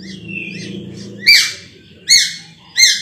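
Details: Ruby-throated bulbul giving three loud, forceful, ringing notes after a low murmuring start, spaced roughly 0.7 seconds apart.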